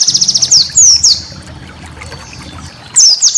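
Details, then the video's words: White-eye master song for training cage birds: a quick series of very high chirps and a few longer falling whistles, a quiet pause with low hum, then more high sliding notes. "masteran burung pleci"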